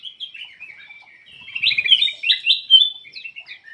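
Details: Lively black-crested bulbul song meant to prompt silent birds to sing: a continuous run of sweet, slurred whistles that grows louder and busier midway through.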